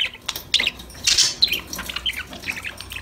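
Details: Pet budgies chatting during playtime: scattered chirps and one loud, grating squawk near the middle, followed by softer twittering notes.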